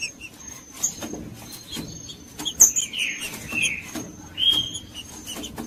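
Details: Green-winged saltator song for warming up a cold bird: a few buzzy, slurred whistles in the middle, then one clear sustained whistle, among scattered clicks and high chirps over a faint steady tone.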